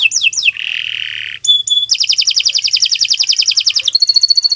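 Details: Canary singing training song: quick falling slurs, a harsh buzzy rattle, a pure high note, then a dense rolling trill that ends in a run of clear repeated whistles.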